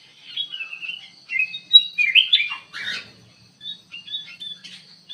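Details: Ruby-throated bulbul singing actively inside an aviary: varied whistled and slurred phrases, some rising and falling, delivered in quick bursts with brief pauses between them, over a faint steady high hum.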